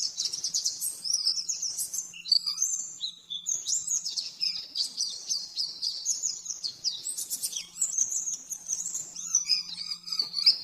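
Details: Long run of oriental white-eye 'nembak-nembak' master song, used to train caged birds: rapid, very high, continuous twittering with sweeping slurs and trills, accompanied only by a soft constant low hum.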